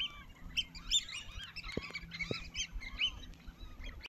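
A crowd of South Island pied oystercatchers gives overlapping shrill piping calls, a constant busy chatter of many birds at once with a low background rumble.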